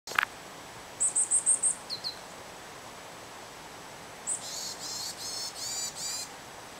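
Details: Varied tit calling: a quick run of five thin, very high whistled notes, two lower short notes, then after a pause a series of harsh, nasal, buzzy notes repeated about every half second.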